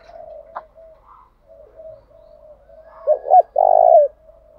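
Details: Spotted dove decoy, meant to make wild birds call back at once, giving low murmuring coos followed by two fast clipped notes and a powerful drawn-out coo that slides down at the end.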